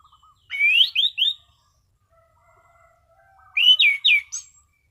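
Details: Relaxed, clear "ngeplong" song of a caged Orange-sided thrush: phrases of three loud, downslurred whistles, one near the start and one near the end, with faint soft low notes between them.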